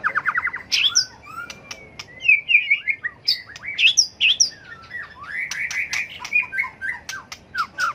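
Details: Competitive fighting song of a tail-flicking white-rumped shama, used to rouse birds into song; begins with a quick trill, followed by varied whistles, harsh squeaks and rich warbled phrases.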